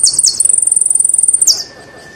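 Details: Song of a saffron finch (jilguero argentino): two buzzy downslurred notes lead into a quick even trill of about eighteen pulses, closing with a drooping buzz, then silence.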